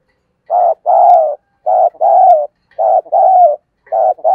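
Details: Spotted dove giving a fight-provoking coo in the chiêu gù style: low, mellow paired notes, a short coo followed by a longer drawn-out one, repeated about once a second in a quiet setting.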